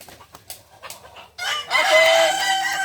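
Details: Balenggek roosters at a crowing practice in Ampang Kualo, Kota Solok: soft clicks and knocks first, then a loud sustained harmonic crow bursts in for the final second and a half.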